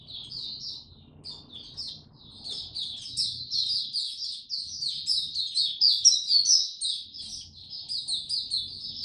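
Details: Caged Oriental white-eye singing in the buka tiong aw style after sleeping late the previous night, 25 January 2022: a continuous high twittering chatter of quick slurred notes, building louder midway, faint low background hum.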